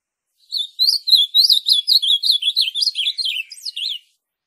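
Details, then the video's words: Azulão (ultramarine grosbeak) song meant to stimulate an azulão to sing: a lively, even phrase of about a dozen quick warbled notes that swoop up and down, ending sharply around four seconds. "Excelente canto para levantar azulão"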